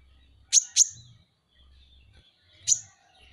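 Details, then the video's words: Van Hasselt's sunbird, known locally as kolibri ninja and kept as a pet songbird, gives two sharp, very high chirps in quick succession, then a third alone about two seconds later, over a faint high twittering and low hum. "masteran KONIN dacok ngobra ngobra"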